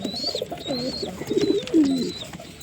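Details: Brief stretch of deep pigeon cooing, with one coo ending in a drawn-out, falling gurgle, and a few high whistled notes above.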